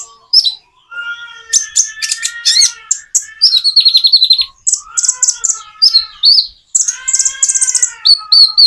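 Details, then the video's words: Common iora singing, with natural pauses meant to prompt reluctant birds to join in. Dense rattling runs of high notes are laid over longer, lower slurred whistles, with a brief quiet gap midway. "Kicau burung konin jeda natural untuk pancingan"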